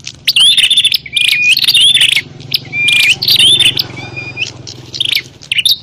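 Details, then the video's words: Bar-winged prinia in a fighting call played to attract wild prinias, a rapid jumble of harsh buzzes, twangy whistles and high thin upslurs in quick overlapping bursts. "Suara burung prenjak pikat - prenjak tarung ribut ampuh memanggil prenjak liar"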